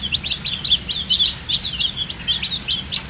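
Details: Thirsty colour baby chicks calling for drinking water: a busy stream of piercing, high, short peeps, many birds at once, with quick rising and falling slurs over a low background hum.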